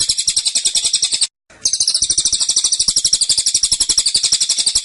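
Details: Dense, insistent 'tembakan' song from a caged cililin. Rapid-fire high chirps at about four per second pause briefly once, then resume and run on unbroken.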